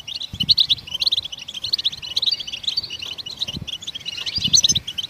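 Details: Goldfinches chirping to stimulate songbirds: busy, high-pitched tinkling notes in uneven bursts, bright twitters running across the whole stretch.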